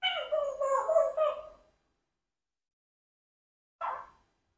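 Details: Pet Congo African grey parrot, four years old, talking at home: a tonal, voice-like phrase with clear harmonics wavering over about a second and a half, then silence and one short clipped syllable.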